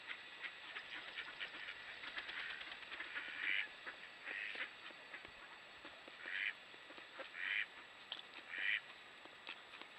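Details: Mallards roosting in winter on Lake Superior at a river mouth near Duluth, at sunrise, quack in short nasal bursts every second or two, among the steady hiss of wind and water with a faint high tone throughout.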